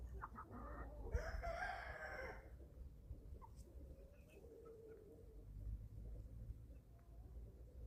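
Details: Young chickens, 11 weeks old, at feeding time on a small family farm in Germany: one drawn-out, harmonic-rich call of about a second, then quieter scattered short notes over a steady low rumble.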